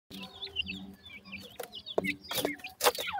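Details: Grey francolin chicks, known locally as dakhni teetar, in India, calling their mother: short high chirps with quick rising and falling squiggles, scattered irregularly, broken by sharp clicks and knocks, over a low steady hum.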